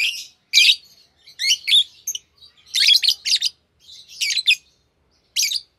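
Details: A green Fischer's lovebird pair chirps in rapid, shrill, scratchy bursts, several notes run together, then a pause before one last sharp call.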